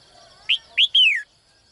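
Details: Morning call of a caged female bird trying to attract a vigorous male: two quick bright chirps, then a drawn-out note that glides downward, clear against near silence.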